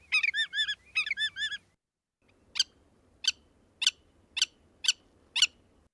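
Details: Willet (Tringa semipalmata), call: announcing an observer's presence loudly.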